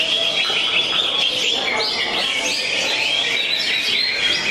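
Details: Competition singing by a greater green leafbird, 'jangkrik balap' style with cricket-like phrasing, 'konslet' performance; busy stream of high twittering notes and rising whistles, crowded by other birds singing at once.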